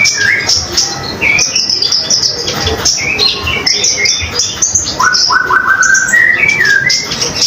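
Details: Common iora singing as a tutor recording for other songbirds: quick high chatter and twittering, then a run of clear rising whistled notes stepping upward before more high chips.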